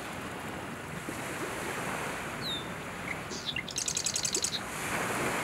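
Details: Male Marsh Wren in tall cattails, Southern Ontario, Canada, on a July morning in summer 2020 around dawn; a few thin sharp introductory notes, then one short, dry, rapid buzzy trill, over steady wind-like rushing noise.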